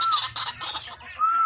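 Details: Five growing, healthy, tame young White-breasted Waterhens in Lampung give thin, steady whistled notes with squeaky chattering between and a low hum underneath.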